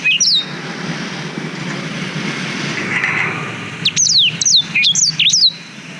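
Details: Black-throated canary song, recorded with a GoPro Hero 5 as tutor material for young canaries: a brief high whistle at the start, a low murmur of background noise, then a quick run of sharp descending whistled notes near the end.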